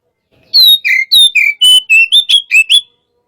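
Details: Hot-type white-rumped shama delivering a short phrase of about nine clear whistled notes, alternating higher and lower pitches in quick succession, after a brief silence and ending abruptly.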